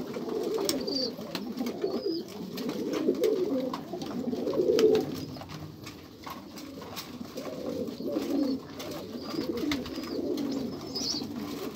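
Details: Pigeons coo in deep, wavering, overlapping phrases that swell and fade, with occasional clicks and a few faint high chirps in the background.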